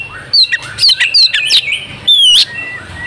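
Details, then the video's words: Oriental magpie-robin female in breeding condition, played to make males sing: bright whistled slurs and sharp chirps, a long clear falling whistle near the end, delivered in quick bursts. "pancingan kacer jitu "AUTO" kacer bisu langsung gacor ngobra \\ kacer betina birahi"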